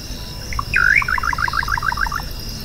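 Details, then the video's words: Song of the little nightjar, Hydropsalis parvula (bacurau-chintã). Two soft opening notes lead into a bright swooping whistle, followed by a rapid string of short doubled notes that slowly fades. A continuous high insect drone fills the background. "O Canto do BACURAU CHINTÃ (Hydropsalis Parvula) Bird Song - Little Nightjar"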